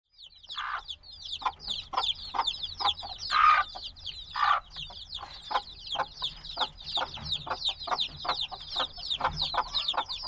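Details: Black baby chicks hatched a few days ago, still needing warmth from their mother, chirp noisily: a dense chorus of high, descending peeps overlapping continuously, with occasional lower, louder calls standing out.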